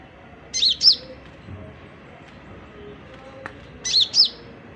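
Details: Oriental magpie-robin beginning its song, giving two brief paired whistled notes, high and arched in pitch, separated by a few seconds of quiet background.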